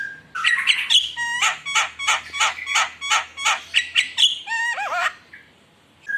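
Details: Javan myna (jalak kebo) in lively full song for luring: fast repeated harsh notes at about three per second, mixed with clear whistled tones and a closing wavering whistle.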